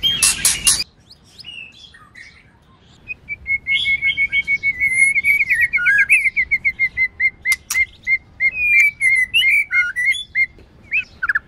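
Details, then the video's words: Training recording of a female white-rumped shama singing to stimulate males: a brief loud harsh burst, a quiet gap, then a long string of quick chirping and whistled notes around one pitch, varied with slurs. "Luyện Chòe Lửa HÓT NHIỀU GIỌNG HAY + MÁI HÓT Kích Trống"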